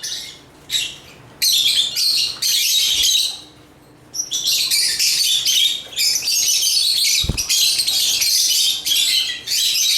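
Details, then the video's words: Chirping African lovebirds sing in long dense bursts of shrill, scratchy, high twittering that run several seconds almost without a break, with a short pause early on and a soft low thump near the seventh second. "African Love birds Agapornis chirps singing sounds"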